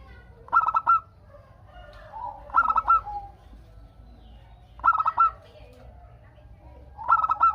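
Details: Zebra dove (local perkutut) song meant to get doves answering one another: four bright, stuttering cooing bursts, spaced about two seconds apart, with faint background coos.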